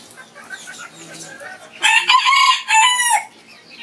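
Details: Somewhat distant rooster crow in the morning, a hoarse two-part call lasting about a second and a half over soft background chirping.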